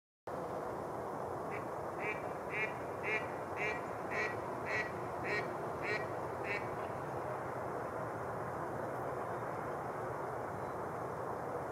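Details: A mallard on partly open water on Rush Lake, New Brighton, Minnesota, in February gives about ten nasal quacks in a quick, even run lasting some five seconds, over a steady rush of wind or water.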